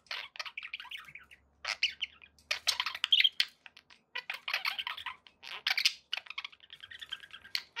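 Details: Pet budgies chattering happily, grating buzzy warbles and squeaky notes in bursts separated by short silences.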